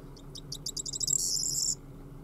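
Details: Corn bunting song: a run of dry, high ticks that speeds up, then a shimmering, jangling rattle like shaken keys, over a low background hum. Finding: Corn bunting.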